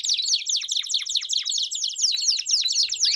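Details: Belgian canaries singing together in a lively jumble of fast, descending chip notes and trills, repeated many times a second, loud and steady throughout.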